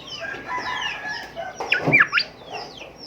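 A golden whistler gives a loud burst of rich whistles, sharp rising and falling strokes near the end, over softer descending whistles and a faint hiss.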